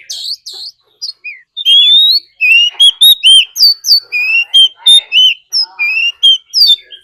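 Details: Oriental magpie-robin used as a decoy, singing a fighting song mixed with a wild female's call to provoke rivals. Brisk, loud, fluty notes are delivered in a fast, uneven string of rising and falling whistles.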